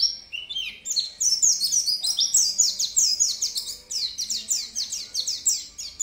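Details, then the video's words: Oriental white-eye, bukpar type, in full continuous song. It gives fast, high, warbling twitters made of quick slurred notes in tumbling sequences, with almost no pauses throughout. "pleci bukpar gacor"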